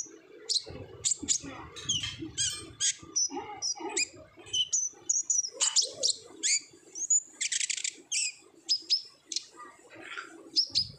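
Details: Olive-backed sunbird in full song of the ngobra style, a lure for untrained birds to sing often: rapid high chirps, sharp buzzy trills and short whistled notes in quick bursts, some soft lower rustling beneath.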